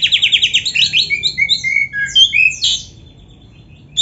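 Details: Lively oriental magpie-robin with varied, richly filled training song: a rapid trill of high notes repeated about eight times a second, then slurred whistles at several pitches, a loud rising burst, then quiet.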